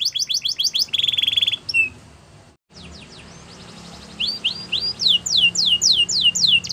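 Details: Border canary training song for young canaries: quick repeated sweeps and a dense trill, a short silent gap, then quiet background before rising, regularly spaced swept notes resume.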